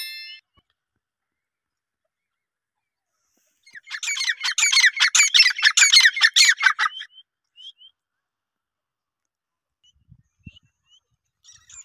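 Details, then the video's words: Female grey francolin (teetar) gives a loud, harsh burst of rapidly repeated ringing notes, about two and a half notes a second, lasting some three seconds. Near silence follows, broken by a single faint knock and soft chirps. "gray francoline teetar sound | female teetar awaz"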